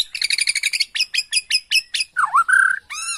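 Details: A Bornean White-rumped shama, used as an agitated lure song to provoke other birds into answering, sings loud and fast: a rapid chattering trill, sharp descending whistles, then a swooping rich whistle and a buzzy harmonic note.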